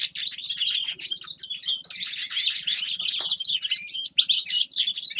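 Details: Continuous, rapid twittering from a Grey-crowned goldfinch: a dense stream of high, sweet chirps and trills with scarcely a pause.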